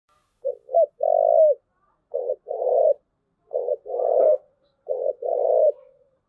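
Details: Spotted dove cooing in the thúc gù style: three phrases, each two short low hooting notes followed by a longer drawn-out coo, with a pause of about a second between phrases.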